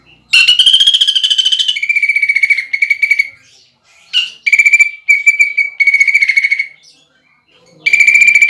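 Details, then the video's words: Greater green leafbird in full song with imitated pelatuk bawang (woodpecker) phrases, a prized contest filler: dense, buzzy, fast-pulsed rattles, some dropping slightly in pitch, in several bursts separated by short silences. "PANCINGAN CUCAK IJO GACOR NEMBAK ISIAN PELATUK BAWANG UNTUK LOMBA"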